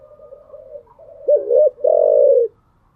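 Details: Morning coo of a cage-kept spotted dove: quiet low notes build to a loud dipping double note and a long full coo, then silence.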